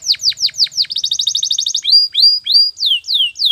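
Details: Canary training song: loud descending chirps, then a fast, even roll of rapid notes, then slower downward-sweeping whistled notes repeated about twice a second.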